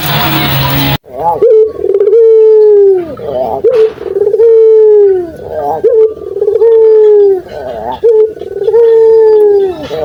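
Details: Puter dove calling to draw reluctant doves into answering. After a burst of noise, a run of steady coos follows, each a short rising lead-in then a long even tone trailing downward, roughly every two seconds.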